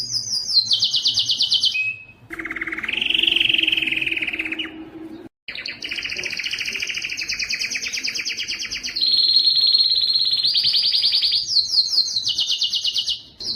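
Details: Strong canary singing, used to push males to sing: high rapid trill, brief pause, a lower rolling buzz, then long fast trilled tours shifting pitch step by step, with short breaks of silence.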